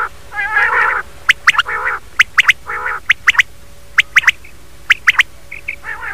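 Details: Common quail calling in the morning: sharp, clipped notes in quick groups of two or three, repeated roughly once a second. They alternate with harsher, nasal squawking calls from other birds.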